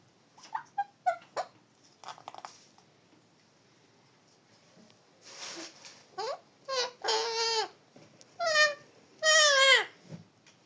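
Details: Parrot giving a series of harsh, harmonic squawks. They start as short, scattered sounds and build into longer descending, wavering calls near the end. The background is quiet.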